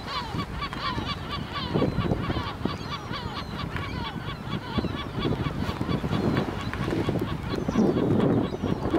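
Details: Gulls on the dune of Helgoland: a crowded chorus of harsh, honking, overlapping calls with many birds calling at once, under steady background rumble.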